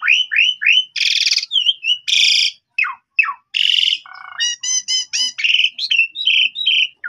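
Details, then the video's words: Asian pied starling singing to get other starlings to respond, with upslurred whistles, harsh buzzy bursts, a run of stacked repeated notes and wavering whistled phrases. "Jalak Suren Bahan Langsung Respon Nyaut Gacor"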